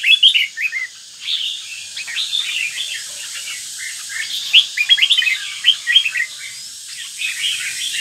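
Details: Caged northern red-whiskered bulbul of the 'lân tê mặt quỷ' type, beginning its third moult, kept at Bái Đính, Ninh Bình, delivers a busy, continuous run of bright chirpy, warbling notes over a steady background hiss.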